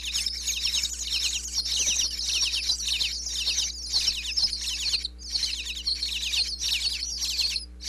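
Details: Nestling bluebirds in a birdhouse in Pennsylvania, begging when the parents visit with food, recorded close up by a wireless mic inside: a steady stream of shrill, raspy chirp bursts roughly twice a second, with one short pause midway.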